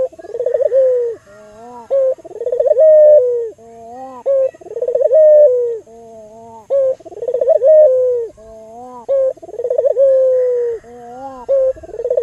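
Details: A lively albino local Barbary dove, kept to lure and stimulate other doves, repeats its coo phrase about every two and a half seconds: a brief note, a bubbling trill, a long falling tone and a soft lower hum.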